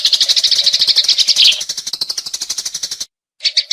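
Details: Sparrow chirps for luring come as a run of loud, quick, high notes, then a sudden short silence, and then a few more chirps.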